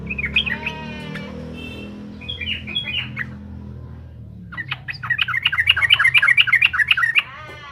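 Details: Yellow-vented bulbul singing actively to provoke rival birds: short whistled, slurred phrases, a brief pause, then a loud, rapid bubbling burst of repeated chattering notes over a steady low background hum.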